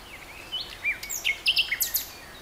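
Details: Song of a common nightingale, starting with a few soft thin whistles, then a quick run of varied chirps, trills and high buzzy notes that grows louder toward the end, with light background noise.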